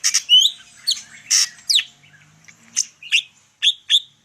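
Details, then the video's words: Greater green leafbird of the Medan type in active full-isian song, a string of sharp varied chirps and short down-slurred whistles, some with rising upward flicks, spaced by brief gaps. "cucak ijo medan_gacor full isian"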